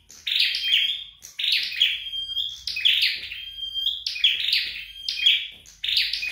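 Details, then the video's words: Flowerpecker trained at home, singing a steady series of high buzzy downward sweeps, each ending in a fine whistled tail, repeated about once per second over several seconds. "Dợt Sâu Đầu Đỏ Tại Nhà"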